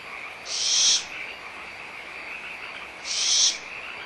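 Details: At Audubon Starr Ranch Sanctuary, 17 April 2011, barn owlets squabble over leftover food while the mother is nearby. Two drawn-out, airy hisses about two and a half seconds apart; frogs trill constantly underneath.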